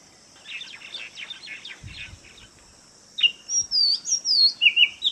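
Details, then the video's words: An Oriental magpie-robin in Kerala sings a soft run of chattering notes, then loud, clear whistled phrases that sweep up and down, each about half a second long. "Oriental Magpie Robin മണ്ണാത്തിപ്പുള്ള്"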